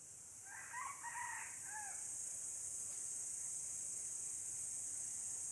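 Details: Red junglefowl from Aceh, 5 January 2020, gives one brief multi-part crow of rough harmonic syllables near the start, followed by quiet and a constant high-pitched insect drone.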